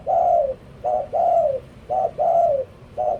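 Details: Spotted dove kept as a decoy bird, cooing loudly: a short mid-pitched note followed by a longer, gently falling coo, the pair repeated about once a second with little background noise.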